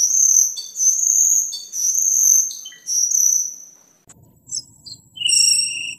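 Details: Vigorous cucak keling song, used for training caged birds and as a lure. Long, high, ringing whistles come first, then a short gap and a few sharper notes and a lower whistle.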